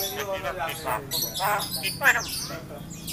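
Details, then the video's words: Yellow-eyed Javan myna kept as a talking bird, imitating human speech such as a greeting, coughing and words like 'piro' and 'pulsa'; speech-like harmonic phrases with rough syllables and a sharp squawky note near the end, people talking nearby. "Jalak kebo mata kuning ngomong kabib batuk,salam,piro,tuku pulsa."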